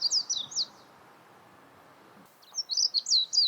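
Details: Two brief bursts of high, squeaky warbling notes from a warbling white-eye, separated by a pause of nearly two seconds of quiet background hiss.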